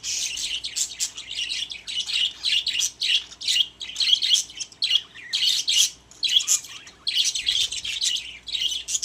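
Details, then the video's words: Busy, continuous chatter from caged pet budgerigars: rapid high chirps and rasping warbles in waves, each a second or so long, separated by brief dips. "My Happy Budgies | Spreading Love in the Cage"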